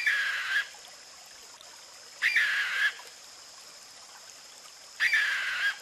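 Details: Sri Lanka frogmouth giving three hoarse, rasping calls, each about half a second long, repeated every two and a half seconds against a quiet background hiss.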